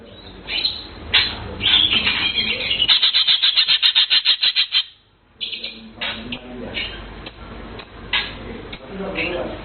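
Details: Melodious song of a blue cucak keling: varied chirps, then a long rattling series of quick even pulses for nearly three seconds, a brief pause, and more scattered chirps.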